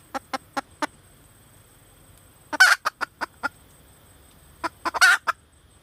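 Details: Female red junglefowl calling to a mate with scattered short clucks in small runs, twice interrupted by a brief, loud, rasping squawk, in a quiet setting.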